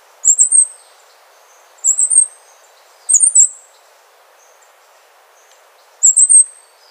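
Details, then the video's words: Very high-pitched, squeaky triplet phrases from a Wrenthrush, a Panama and Costa Rica resident. Three phrases come in quick succession, then a three-second pause before a fourth. Little other sound is heard. "O canto do Pula Pula de Rabo curto ( Zeledonia Coronata )"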